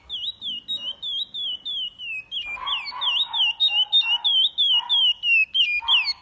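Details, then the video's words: A chestnut-bellied seed finch (curió) sings a Paracambi-style song with repetition: a long run of clear, high whistled notes that slide up and down in fast repeated phrases, with a lower warbling note beneath. "Curió Paracambi com repetição"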